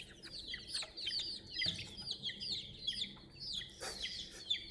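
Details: Domestic chicken chicks chirping around a toy crane: a flock of shrill, high peeps, each a short falling whistle, repeated rapidly and overlapping, with faint scuffling below.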